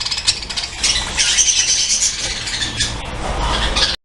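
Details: Budgerigars in a breeding colony chattering together: a dense continuous wash of high warbling and squawky chirps from many birds, with low rumbling background noise.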